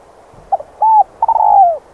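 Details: A spotted dove gives soft, hollow coos: a short note, a longer level coo, then a stuttering coo that slurs downward, against a quiet background.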